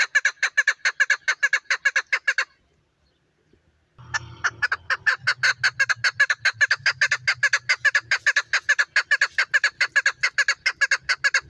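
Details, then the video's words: Female chukar partridge calling in a fast, steady run of sharp chucking notes, about two per second, broken by a brief silence, then resuming over a low rumbling background. "female chakor best voice"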